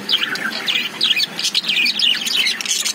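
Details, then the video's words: Lovebirds in a cage give rapid, bright chirps, quick up-and-down twittering notes tumbling over each other without pause, a continuous lively chatter from several birds. "Love birds sound"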